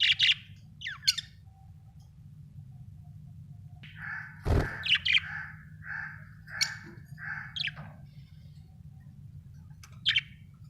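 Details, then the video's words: Budgies chirping in a series of short, evenly spaced warbled notes with occasional sharp high chirps and a single low thump partway through, against a faint steady low hum. "Australian budgies parrots l budgie chirping sound"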